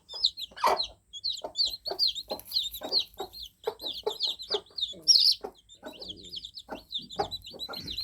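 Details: Dense chorus of just-hatched baby chicks, a steady stream of thin, high chirps overlapping from many birds, punctuated by low thumps and brief rustles throughout.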